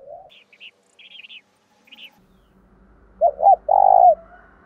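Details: Decoy spotted dove cooing to spur other doves to call: high chirps from small birds first, then a deep phrase of two quick notes and a long, pulsing coo, with a soft low hum beneath.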